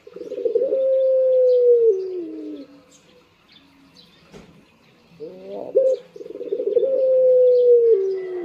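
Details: A kept Barbary dove in the morning gives two low, drawn-out coos about five seconds apart, each a long steady hum sliding down at the end, with a short clipped note between.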